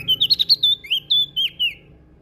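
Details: Lombok prinia in lively song: a quick string of about ten high, slurred chirps, some rising and some falling, packed into under two seconds against a quiet background.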